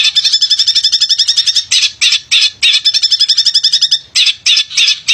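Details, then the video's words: Actively singing male long-tailed shrike, a lure for lazy singers: a fast rattling trill, several rough grating phrases, another rapid trill, then more harsh chunks. "Pented Gacor Cocok Buat Pancingan Pented Yang Malas Bunyi"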